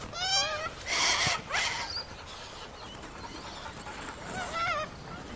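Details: Sulphur-crested cockatoo calls: a wavering, nasal squawk followed by two harsh, noisy screeches, then quieter rising and falling cries toward the end against faint background noise.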